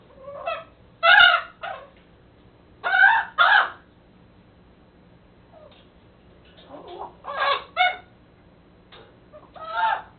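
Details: A captive-raised pet raven, a White-necked and Common Raven hybrid, babbles while playing with and talking to his toys: short throaty bursts of harsh mid-pitched croaks and squawky notes in clusters with pauses between.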